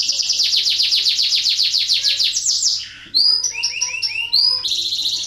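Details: Canary in breeding condition singing a lure song meant to stimulate other canaries to sing: a fast rolling trill of rapidly repeated descending notes for about three seconds, a short pause, then clear high whistled notes and a rising sweep.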